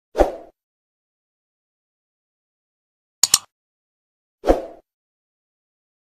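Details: Three short separate plopping knocks, a double click between two duller thuds, set in otherwise total silence.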